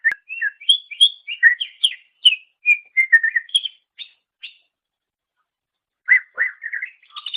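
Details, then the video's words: Song of the greater green leafbird (cucak ijo), recorded as a master for training songbirds: varied whistles and chirps about twice a second, a pause, then swooping notes and high chatter. "Ocehan Suara Burung Cucak Ijo"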